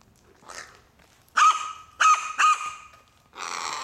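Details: Crow calls while one bird steals the snacks given to another, which patiently follows it waiting for a dropped morsel. Three harsh, loud caws come about half a second apart, each holding a steady tone, followed by a rougher broad call.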